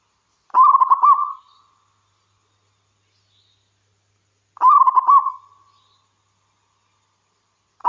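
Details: Singing local wild zebra dove, a recording intended to provoke other doves into song. Rapid pulsing coo phrases repeat about every four seconds, two complete and a third just beginning, separated by silence.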